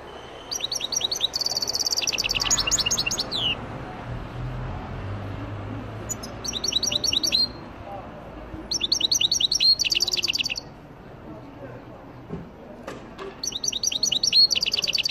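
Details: Algerian goldfinch (مقنين تيواواطي) delivering bursts of high, fast tinkling twitters and buzzy chatter, four separate phrases with short quiet gaps between them.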